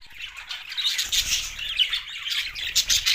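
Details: Budgerigar flock chirping: dense, overlapping high squawks and twittering chatter, continuous and lively, with no other clear sounds.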